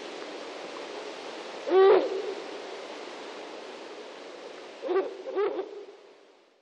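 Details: Female Ural owl near its nest gives a hoarse, barking call near 1.8 seconds, then two shorter rough notes around five seconds, over a steady background hiss.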